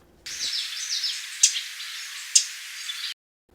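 Two loud, sharp chips about a second apart from a Common Yellowthroat, over faint high twittering of other birds in the background.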